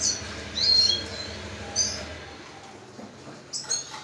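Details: Hand-fed red siskin chick, ten days old, giving thin, high-pitched squeaks in brief bursts, several early and a pair near the end, against constant low background hum.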